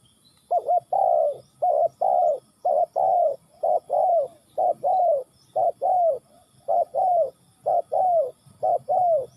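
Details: Cooing spotted dove, Ninh Thuận: a long, regular series of mellow two-part phrases, a short lead note and a longer downslurred coo, about one per second, with little background noise.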